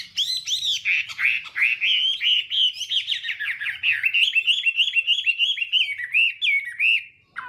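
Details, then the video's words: Morning song of a Chinese hwamei, sung in voice training to provoke singing: a fast, continuous stream of bright looping whistles, about three notes a second, with a sharp slurred note at the end. "hoạ mi hót sáng luyện giọng kich bổi sổ giọng chim hót hay mỗi ngày"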